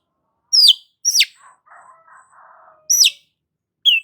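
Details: Long-tailed shrike singing 'gacor' style as a lure for a stressed bird: two sharp descending whistles, a low scratchy chattering passage, then another falling whistle and a short high note.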